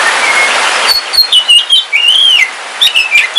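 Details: Caged oriental magpie-robin of the Kalimantan black form kept at home, singing on a rainy day: clear whistled phrases with slurred rising and falling notes and sharp chips, over a steady hiss of heavy rain.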